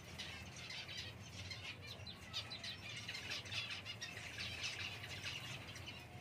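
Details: Java sparrow uttering quiet, high chip notes in loose clusters, fairly steady throughout, with faint low hum beneath.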